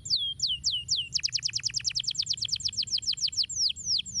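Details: Canary singing, used to get other canaries singing: four slow downward-slurred whistles, then a rapid even trill of about twenty short notes, ending in slower descending whistles.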